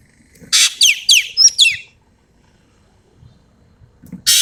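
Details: Ekek keling from Sumatra singing vigorously: a harsh broadband rasp, then four quick downslurred whistled notes, one with a brief high note, all in under two seconds. A second rasp follows after a pause.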